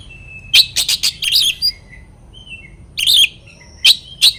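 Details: Oriental magpie-robin singing to provoke rivals: bursts of sharp, high chattering notes and short whistles, a dense run early, a pause, then further clusters of rapid phrases.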